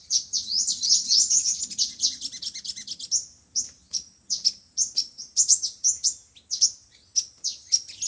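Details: Lure recording of five-colour and seven-colour sunbirds for trapping: a dense twittering burst of high notes, then spaced sharp chirps roughly every half second.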